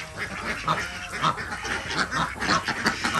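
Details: Desi ducks kept on a village farm in Andhra Pradesh, India, calling while eggs are collected in the morning; harsh nasal quacks repeated in quick irregular series from several birds at once.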